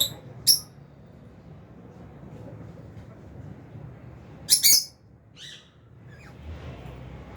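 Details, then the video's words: Albino and Fisher's lovebirds in an aviary flock at feeding time; two sharp, high, squeaky chirps about four seconds apart, with a few softer notes after, over quiet hiss. "Lovebirds Chirping Sounds"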